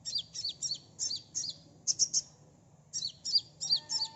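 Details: Sunbird song used as a lure to get birds to respond fast: sharp, very high, chirpy notes in quick pairs and triplets, about twelve in four seconds with a brief pause midway, over a faint low hum.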